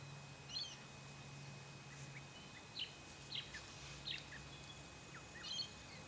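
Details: Eastern yellow robin on the Chiltern Track, Ku-ring-gai Chase National Park, NSW, in late July 2016. It gives faint, short, sharp high chirps, six or so scattered across six seconds, over a steady low hum and soft background noise.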